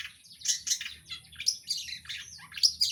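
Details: High, thin twittering and squeaky trills from a long-tailed shrike (cendet) kept by songbird hobbyists. The notes are dense and overlapping, with a faint low hum underneath.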